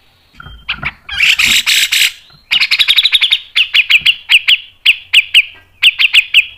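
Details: Grey-cheeked bulbul (cucak jenggot) in masteran style, 'mbeset ngepik nembak panjang', fast and tight. Harsh buzzy bursts are followed by a long string of sharp descending whistled notes, repeated roughly twice a second.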